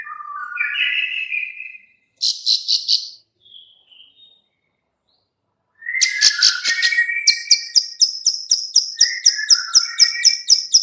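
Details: Bar-winged prinia (ciblek sawah) female clicking call, played as a lure for birds: sweeping chirps and buzzy bursts, a pause, then a dense run of sharp, rapid clicks repeated about four times a second alongside high chirped notes.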